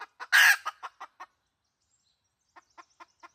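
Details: Decoy sound of a red junglefowl hen, 2020: quick clucks, a loud harsh squawk, a few more clucks, silence, then faint clucking again.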